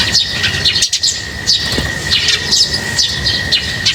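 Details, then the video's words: Lovebirds chirping while being fed: a busy overlapping chatter of short high squeaky chirps, several per second, with a steady high whine in the background. "Feeding birds, their chirping is very relaxing"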